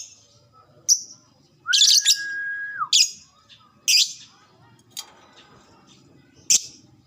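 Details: Lovebird calls used to trigger ngekek chattering: scattered shrill squeaks and harsh bursts, with a steady mid-pitched whistle-like tone lasting about a second near the start.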